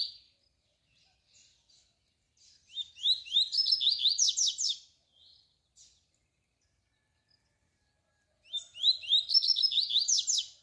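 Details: Double-collared seedeater tui tui song used as a model for young birds. Two long phrases of fast, repeated high chirps rise into a buzzy trill, each about two seconds, separated by several seconds of near silence with faint single notes.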